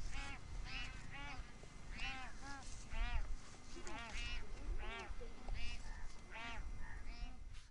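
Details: Bar-headed geese feeding at Tehla Jheel lake, Sariska National Park, Rajasthan, where they winter, give a steady stream of nasal honking calls, several birds overlapping every half second or so, over low rumbling background noise.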